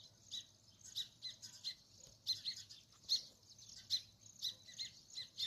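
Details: Sparrows chirping: short, bright, high chirps in irregular bursts about once a second, over a faint low hum.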